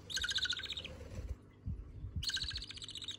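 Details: Budgerigar chicks begging food from each other: two bursts of harsh, raspy, pulsing squeals, with soft low rustling and bumping sounds between them.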